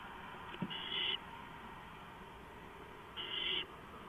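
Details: Nest-box cam housing with three owls, 4:45 AM, 6 April 2015; two hoarse hissing screeches about two seconds apart, a small knock just before the first, constant low hum behind.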